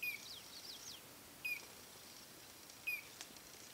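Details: Collared crescentchest calling three times, each a brief, clear downward-slurred note spaced roughly one and a half seconds apart, over soft hiss and some faint higher chirping.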